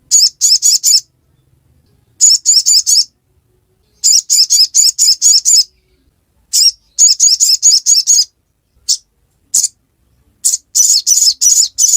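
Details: High, shrill chipping phrases of a crimson sunbird, ngiriwek style, each phrase a rapid string of five or six notes, repeated after gaps of about a second, with scattered single chips.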